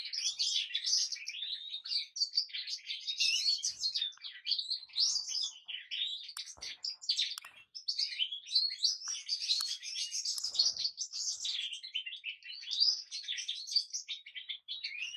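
A European goldfinch sings without pause, a bright, rapid jumble of tinkling, twittering notes with liquid trills and buzzy flourishes, high-pitched throughout.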